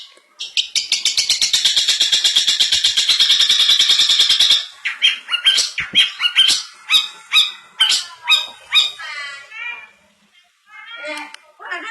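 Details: Long-tailed shrike (cendet) giving its 'isian mantan' song fill: a fast, even buzzy rattle of high clicks for about four seconds, then separate harsh chattering notes and short warbled phrases at a slower pace.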